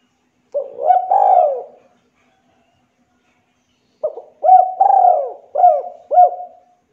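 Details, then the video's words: Clear, gacor spotted dove cooing in two phrases: a soft rolling coo, then after a pause a series of three or four short, rounded coos in quick succession, low and mellow with silence between. "Pancingan Tekukur Gacor Suara Jernih"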